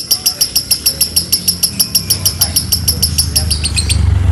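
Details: Lovebird trilling in the konslet style on a training recording. High, clipped chirps repeat steadily at a brisk pace for almost four seconds. A low rumbling noise swells toward the end as the trill fades.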